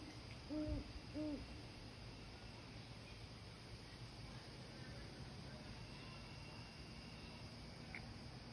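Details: Male and female great horned owls calling to each other: two short, low hoots about half a second apart near the start, each with a faint higher overtone, followed by quiet hiss and a faint distant chirp.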